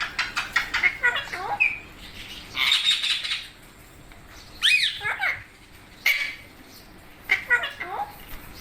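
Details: Parrot chattering with a rapid burst of clicky notes, then raspy squawks and short, downward-sliding harmonic calls spaced a second or two apart.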